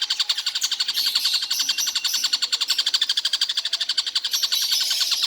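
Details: A steady, rapid stream of grating, metallic notes from a Stork-billed Kingfisher calling without pause throughout the day, the notes running together in a fast even rhythm.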